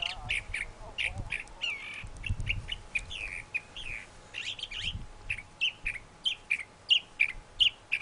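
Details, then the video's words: Singing thrasher delivering varied chirps, slurs and buzzy notes, ending in a rhythmic series of clear, evenly spaced sharp notes, over faint low background noise. "Thrasher Singing"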